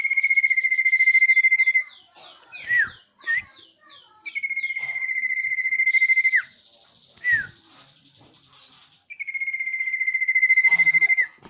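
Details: Common iora giving long, steady whistled notes of about two seconds each, three times, separated by quick sharp chirps and trilled phrases.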